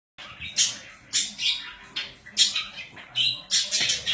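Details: Pet budgerigars calling indoors: bursts of bright, scratchy chirps repeated roughly every half second, each a short harsh squawk with a buzzy tail, separated by quieter warbling.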